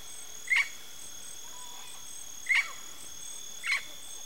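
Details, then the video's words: Yellow-faced parrot giving three loud, harsh, clipped squawks spaced one to two seconds apart, with a faint soft note between, against a continuous high-pitched insect-like drone. "PAPAGAIO-GALEGO canto (ALIPIOPSITTA XANTHOPS) YELLOW-FACED PARROT"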